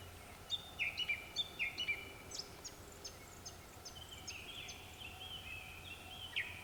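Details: Japanese Thrush singing at dusk, several birds calling, clear varied whistled phrases, quick fluty notes mixed with higher sliding trills, repeated over a low steady background hum.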